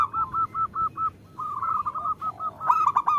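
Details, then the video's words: Local female zebra dove calling to a male. A steady series of short, evenly spaced coo notes is followed by a quicker, bubbling trill that ends in a loud flurry of clipped notes. "Perkutut lokal gacor Terpancing Bunyi dengan Suara Perkutut Betina Memanggil Jantan"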